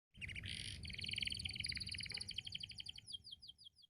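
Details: Canary singing as its owner is about to leave: rapid rolling high trills, a brief buzzy burst, then a run of short downward-sweeping whistles that slow toward the end.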